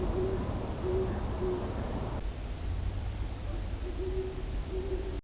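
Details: Acoustic monitor recording of a great horned owl at Long Swamp Sanctuary: low hoots repeated about every half second in a short run, a pause, then three more hoots, set against steady hiss and low rumble.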